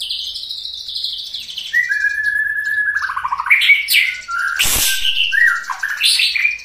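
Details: White-rumped shama, a caged songbird, delivering rich song: a high whistled opening drops into a long level whistle and a falling trill, then a sharp harsh crack and more rising phrases.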